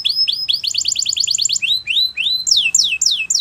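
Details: A Belgian canary sings for young canaries in training: high upswept slurred notes lead into a rapid, bright trill, followed by a series of loud, downward-sliding whistled notes.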